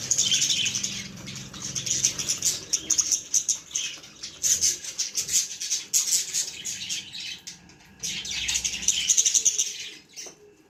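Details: Young budgerigars chattering almost nonstop: dense high-pitched chirps, scratchy squeaks and short repeated notes, loudest at the start and again near the end, with a brief quieter lull in the middle.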